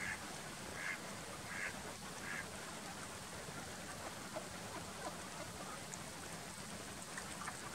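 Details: Mallards courting each other in Västerbotten, Sweden, in March 2019 give short, nasal calls in a quick run of three near the start, then softer notes, over a steady hiss of background noise.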